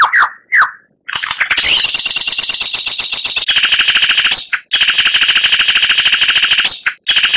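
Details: Murai batu, white-rumped shama, singing a training masteran for captive birds: two short slurred whistles, then a long unbroken very rapid trill of buzzy repeated notes, interrupted briefly by high clear whistles.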